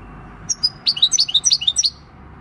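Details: Six-year-old wild-caught European goldfinch, field-type song, recorded 26 December 2019: a quick series of bright, high twittering notes, alternating chirps repeated about ten times in just over a second, preceded by a few thin high notes.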